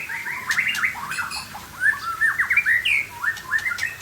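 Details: White-rumped shama of the Aceh type, showing off its varied singing style: a rich run of whistled, slurred phrases sweeping up and down, with quick rising notes and a bright high whistle near the end.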